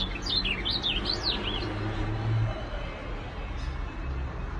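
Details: Ultramarine grosbeak giving a short warbled phrase of swooping whistles in its first second and a half, followed by low rumbling background noise with no further singing.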